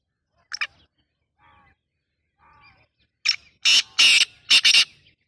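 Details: Black francolin giving a brief sharp note and faint quieter sounds, followed by a loud burst of harsh, grating, buzzy notes in two close pairs.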